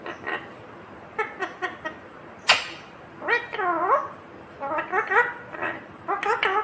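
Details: Indian ringneck parakeet, a green parrot, talking: short harmonic speech-like syllables in quick bursts, a sharp click near the middle, then drawn-out rising and falling nasal notes and further clipped syllables, with no other clear sounds.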